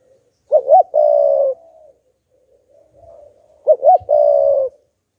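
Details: Spotted dove decoy cooing to stir wild doves, repeating its phrase twice: two short upswept notes then a long even coo, with faint soft murmuring between phrases.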